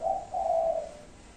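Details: Part of a spotted dove's five-note cooing: a short soft note followed by a longer level coo that fades away, low and hollow in tone.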